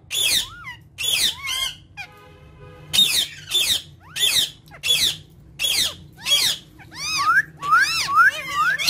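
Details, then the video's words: Three ringneck parrots kept indoors, producing evenly spaced harsh squawk bursts alternating with curved, whistled harmonic notes, ending in a quick string of arched chirps. "Three Funny And Cute Ringneck Talking Parrots"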